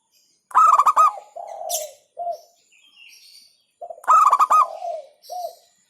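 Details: Local zebra dove giving its hentakan song to provoke opponents: two bursts of quick throaty coos, each trailing into a few lower, drawn-out cooing notes, then a pause.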